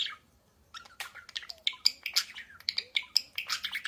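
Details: Many budgerigars singing loudly together in a chorus: a quiet start, then dense chattering warbles, squawks and sharp chirps overlapping in quick succession for about three seconds.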